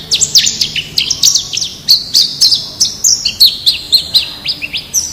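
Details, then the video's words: Wild-type white-eye song used as a master recording to prompt captive birds to start singing: rapid high-pitched twittering of short downslurred and rising whistled notes, about four per second, bright and continuous. "Suara Masteran Pleci Ngalas Agar Cepat Buka Paruh"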